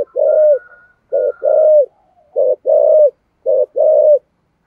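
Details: Spotted dove giving 'thúc gù' coos in the 'thổ sấm' voice: steady run of low two-part phrases, a clipped note then a longer level coo, repeated roughly every second with a faint higher hum.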